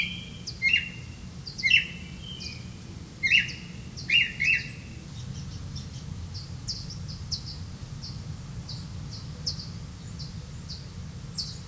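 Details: Black-bellied malkoha tending young in the nest: five sharp, buzzy chirps in the first five seconds, then only faint high ticks over a low rumble.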